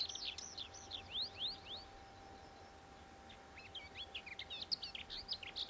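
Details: Lesser whitethroat singing a soft, scratchy warble of quick high twittering notes in two bursts separated by a short pause, with a faint steady hum underneath.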